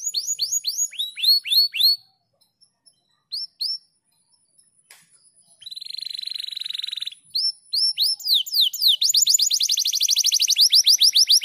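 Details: Canary master song in the fast 'speed rapat gacor' style for training other canaries: groups of falling whistles, a short pause, a flat buzzy rattle, then an accelerating rapid trill of sharp sweeps.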